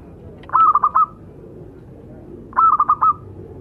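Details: Male and female local zebra doves singing together as tutor birds, giving two brief bursts of four or five quick, even cooing notes about two seconds apart over a faint background hiss.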